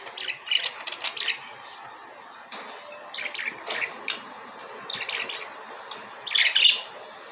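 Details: Budgerigars uttering short clusters of squeaky chirps and warbles, four separate bursts spaced by quiet gaps of about a second, the last burst loudest.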